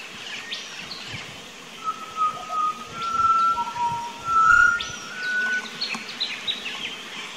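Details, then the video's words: Pied butcherbird in an Australian backyard on 19 October 2018, recorded with a Nikon Coolpix P900, giving long, level piping whistles in short phrases, one falling to a lower note, amid high sharp chirps from other birds. "Pied Butcher Bird~Birds Singing"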